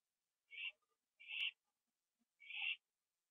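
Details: At night on 21 September 2011, an owl finishes eating a gopher on a porch, watched on a live camera; three raspy, breathy screeches roughly a second apart, with a sharp click during the second.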